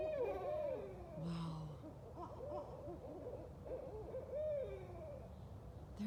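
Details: Several Barred Owls, at least four to eight, flying and calling together at night, caterwauling during a night-time walk; wavering, arching whoops and hoots overlap in quick succession from multiple birds, with a low background rumble.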